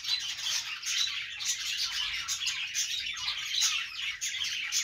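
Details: Budgerigars singing on a perch, a loud, dense warble of harsh squawky notes and bright chirps flowing without pause.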